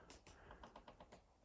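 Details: Woodpecker taps on wood near a hickory in a quick, uneven series of about nine dry knocks in 1.5 seconds, in Wequiock Creek Natural Area, northeast Wisconsin, on a quiet winter day, 10 January 2021; a second woodpecker is possibly nearby.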